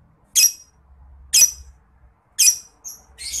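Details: Lovebird giving a ngekek, a long chattering song, used as a master recording for training contest songbirds. Three harsh, high, buzzy squawks come about once a second, followed by a brief thin whistle and another rasping burst.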